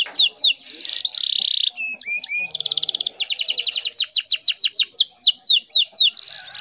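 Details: Lure song of a female canary seeking a male: a buzzy held note, a few sharp chirps, then fast rattling trills easing into evenly spaced high downward whistles.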